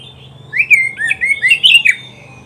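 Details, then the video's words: Oriental magpie-robin singing, from a recording meant as a tutor for caged birds: a bright series of swooping whistles and short warbled notes in rapid succession, strong and clean against a quiet background. "SUARA KICAUAN BURUNG KACER TERBAIK, PART 94 - MASTERAN KACER - KACER GACOR - PANCINGAN KACER"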